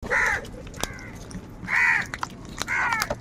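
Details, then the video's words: Crow calling outdoors: three harsh, nasal caws spaced about a second apart, each a broad rasping burst, with sharp clicks and faint background sounds between them. "Kaka sound and noises of Crow birds | কাকের ডাক Crow Sound Crow ki Awaz Loudly"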